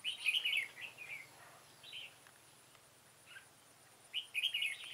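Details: Red-whiskered bulbul used as a veteran decoy to lure wild birds into a trap, recorded 9/9/2017. It sings short bright warbling phrases in bursts separated by pauses, with a steady faint high hiss behind.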